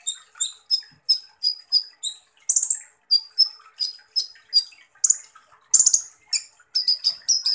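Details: Van Hasselt's sunbird, known locally as kolibri ninja, singing in the rough 'tembakan' style: rapid, high, thin piercing notes repeated about every half second, broken by harsh buzzy bursts, with no other clear sounds.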